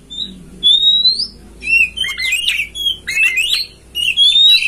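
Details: Oriental magpie-robin master song for prompting a kept bird to open its tail and sing. A long clean rising whistle is followed by loud, slurred, buzzy warbles and further rising whistles.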